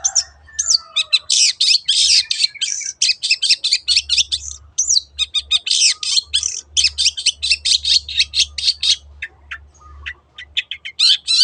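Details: Cendet, the long-tailed shrike, singing its 'teot teot' lure song: a dense, fast run of scratchy, high chattering bursts, nearly continuous for ten seconds, opening with a few thin descending whistles, over a low background hum.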